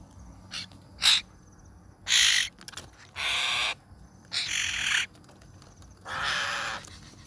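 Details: Hill myna chick calling, kept as a lure to draw in other birds; harsh, noisy rasping bursts about half a second long, given irregularly every second or so over a quiet hiss.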